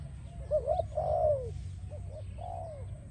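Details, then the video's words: Spotted dove coo sequence meant to attract doves for training: a quick double coo, a long slurred falling note, then fainter coos and another drawn, downward note over low hum. "Spotted Dove animal singing sound"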